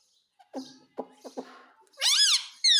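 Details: Indian ringneck parakeet that talks, repeating "mummy mummy": four clipped, speech-like syllables, then a loud, ringing squawk that rises and falls, and a sharp screech cut off at the end.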